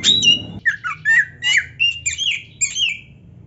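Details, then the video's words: Oriental magpie-robin in full song, played to excite rival magpie-robins: a burst of loud harsh notes, then a string of clear whistled slurs and twisting phrases, each a fraction of a second long, over a faint low hum. "MASTERAN KACER GACOR ISIAN MEWAH ‼️ - AMPUH BIKIN KACER LAIN CEPAT PANAS"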